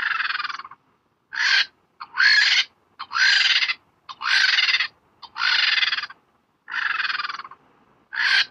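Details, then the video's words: Lappet-faced vulture giving harsh, breathy hissing bursts, each about half a second long, repeated roughly once a second with short gaps between. "lappet faced vulture sound effects"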